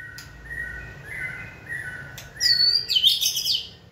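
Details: Training session for a caged white-rumped shama encouraged to sing: soft, steady whistles at first, then a burst of high, rapid, twittering notes.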